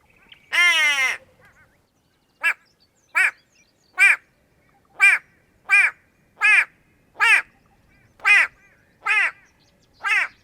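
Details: White-bellied go-away-bird (Crinifer leucogaster) in Kenya gives one long, harsh, bleating cry, then ten short nasal 'gwaa' calls about one per second, loud and grating against a quiet background.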